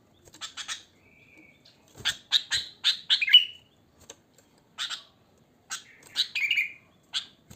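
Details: Natural song of a wild sooty-headed bulbul, unmixed with other species, used to draw bulbuls in: scattered soft chirps, a thin whistle, then bursts of chattering notes ending in short slurred warbles.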